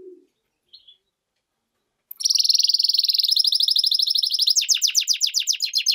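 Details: After near silence, a goldfinch-canary hybrid bursts into song: a high buzzy rolling trill, then quick repeated downward-sweeping notes continuing to the end.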